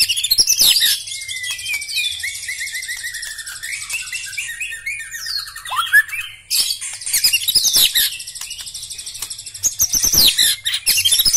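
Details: White-rumped shama with black legs singing a varied, rich song: fluid whistles, rising and falling slurs, and dense buzzy trilled passages, loud and close, with occasional clicks.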